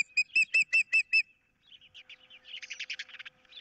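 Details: Osprey at a nest on 15 April 2023 during a fish dispute, with an intruder in the area: six sharp, high whistled chirps in quick succession, then softer, jumbled chattering notes.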